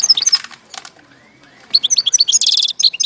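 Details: Goldfinch song recorded in Algeria in 2019, a rapid liquid twitter of high tinkling notes with a buzzy trilled burst, a brief quiet pause midway, then more fast chirping phrases.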